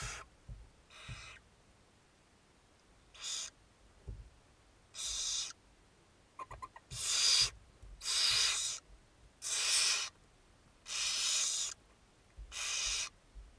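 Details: Barn owls feeding at a monitored nest, with a rapid series of loud, rasping snore-like hisses, about nine bursts lengthening and growing louder, plus a brief scratchy clatter and soft knocks in between.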